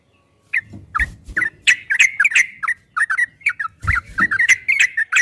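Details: Ropel-style song of a yellow-vented bulbul, a master recording for training: bubbly chattering notes beginning after a half-second silence, with occasional low knocks.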